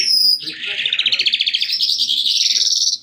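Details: Calandra lark pouring out a fast, rolling trill of many rapid pulses that climbs slowly in pitch for over two seconds, introduced by a brief high whistle.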